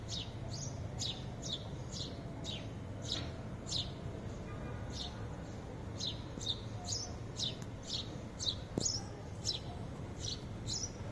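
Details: Sparrows visiting a green city balcony chirp in quick, bright, high notes, repeated about every half second throughout, over a low steady hum of traffic or city noise.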